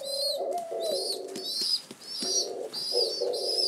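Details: Before their morning meal, rescued pigeon chicks in their first week of care peep insistently indoors, high piercing notes repeated quickly with low buzzy undertones.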